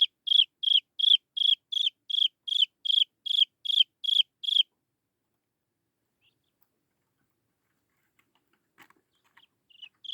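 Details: Young Chinese francolin calling for its mother, giving a dozen sharp, high peeps in quick regular succession, each slightly down-slurred, followed by several seconds of near silence with faint ticks and a final peep.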